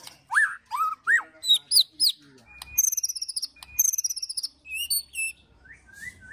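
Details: White-rumped shama ketrekan with cililin and prenjak tir filler, used to rile and train birds: strong upslurred whistles, then fast rattling high trills and short rising notes.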